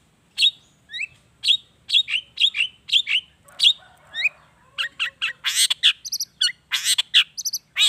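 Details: Long-tailed shrike song as a lure for shrikes: a series of sharp, slurred chirps repeated about twice a second, giving way to denser harsh, buzzy chatter with high whistled notes.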